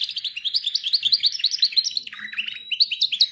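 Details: Domestic canary song meant for teaching canaries: a continuous fast chain of rhythmic chirping syllables, roughly five per second, shifting to a slightly lower stuttering run and a thin whistled note near the end.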